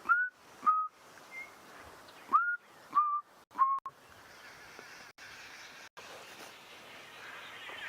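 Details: Chinspot batis (Batis molitor) calling from treetops along a wooded drainage line on a morning safari drive, 25 November 2016: clear, pure whistled notes stepping gently downward, five in about four seconds, then steady background hiss.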